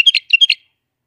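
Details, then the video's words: Bulbul in Iraq delivering one brief, bright phrase of four or five quick liquid whistles. "تغريد بلابل العراق"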